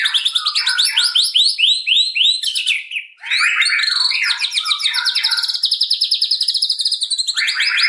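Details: White-rumped shama in full, rapid song, a style its keepers call dense firing: tightly packed volleys of high, sweeping whistled and chattering notes, with a short pause midway before the rapid bursts resume.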